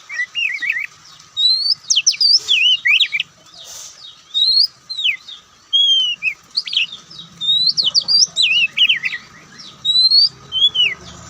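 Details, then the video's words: White-breasted Oriental magpie-robin in full song, loud varied whistled phrases of slurred upswept and downswept notes mixed with quick chips, a soft low hum in the background near the end. "Kicauan Santai Kacer"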